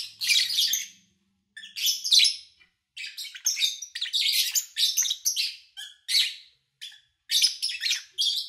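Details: Lovebirds recorded over several days in August 2019 while their owner travelled: clusters of sharp, high, buzzy chirps with irregular pauses, and a faint low hum at the start.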